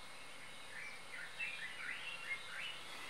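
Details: Golden-tailed woodpecker in a garden in Hazyview, Mpumalanga, South Africa, gives a run of four or five faint, nasal, slurred notes, each bending up then down, over a steady hiss of background noise.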